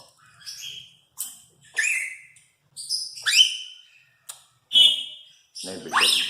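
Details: Four-year-old female Congo African grey parrot kept as a pet, making sound effects: a series of separate clear whistles, rising and falling sweeps and a strong upward squeal at the end, with silent gaps between each.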